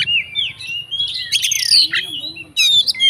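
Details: Fighting Oriental magpie-robin singing to provoke rival magpie-robins: rich, loud whistled notes mixed with harsh chattering bursts, one long slurred whistle, then a brief pause before another strident phrase.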